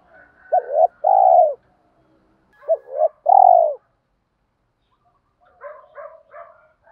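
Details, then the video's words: Spotted doves cooing to excite decoy birds in training: two loud coo phrases about two seconds apart, each a short note then a longer low coo, followed by faint repeated chirpy notes. "tiếng chim cu gáy kích bổi"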